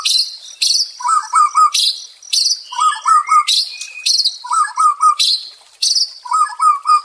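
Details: White-rumped shama song used to restore a stressed bird's fighting spirit: high buzzy bursts alternating with lower, bubbling three-note phrases, repeated about every one and a half seconds.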